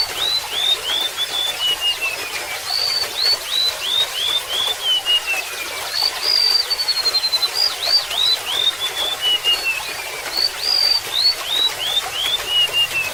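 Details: Golden-bellied gerygone (Gerygone sulphurea) singing thin, high, wavering whistles that slide downward in phrases about every four seconds, over a steady babble of running water.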